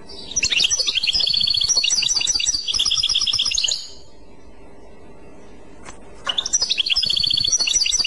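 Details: Clochette-style song of a European goldfinch: a long run of fast, tinkling, high twitters for over three seconds, a quiet pause, then another busy burst of jangling trills starting up.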